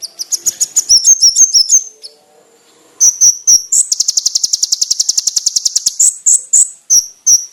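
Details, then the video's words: A konin gives varied master training song: a jumbled high twitter, a pause, then sharp piercing notes leading into a long, fast, very high pulse trill and closing whistled notes. "MASTERAN BURUNG KONIN ISIAN MEWAH FULL TEMBAKAN TAJAM NYARING JERNIH"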